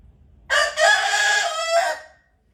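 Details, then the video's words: Rooster in Sichuan, China, indoors, crowing loudly to wake its sleeping owner like an alarm clock; one harsh, harmonic-rich cock-a-doodle-doo lasting about one and a half seconds, with a short first syllable, a long held middle and a fading end. "Rooster acts as alarm clock and loudly wakes owner"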